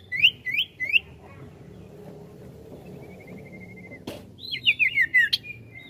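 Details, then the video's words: Ashy tailorbird (sirtu) singing vigorously in the ngetril ngetrol style: three quick upslurred chirps, a thin fast trill held at one pitch, then a sharp click and a tumbling burst of descending chirps. A low hum sits underneath. "SIRTU GACOR NGETRIL NGETROL"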